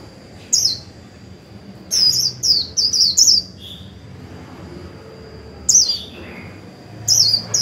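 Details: Bursts of high, bright twittering from a decoy Japanese white-eye in 'líu' style, meant to set off newly caught birds. A cluster of quick phrases comes in the middle, with single phrases before and after, over a thin steady tone.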